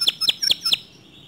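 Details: Canary chirping, a song said to stir other canaries into singing: four short bright chirps spaced about a fifth of a second apart, then quiet.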